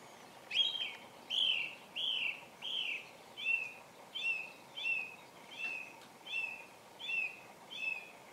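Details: Thrush calling with a steady series of short, high, slightly downslurred notes, about one every three-quarters of a second, eleven in all, clear over a quiet hissing background.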